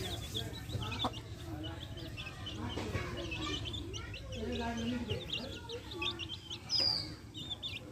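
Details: Backyard hens with chicks feeding: scattered high chick peeps and a few low hen clucks, with faint background hum and a brief louder whistle near the end.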